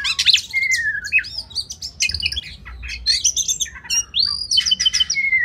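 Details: Oriental magpie-robin song recorded as masteran for competition birds. Scratchy chattering bursts mix with long falling whistles and a smooth rising-then-level whistled phrase, all high-pitched and varied.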